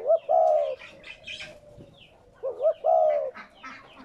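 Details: Low cooing of a spotted dove, played to encourage captive doves to coo: two phrases, each a short wobbling note then a sustained falling coo, with light bird chirps between.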